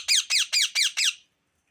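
An Indian ringneck parakeet gives five quick, harsh chirps in a steady run, each a bright squawky note dropping in pitch, about four per second, with nothing else heard.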